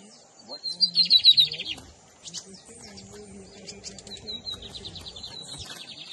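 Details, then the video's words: Lined seedeater singing, Camelão versus Torneiro song types, 2023 season: a loud, sharply pulsed trill opens, then softer high whistles and faint trill fragments continue over low humming background. "Bigodinho Camelão x Torneiro"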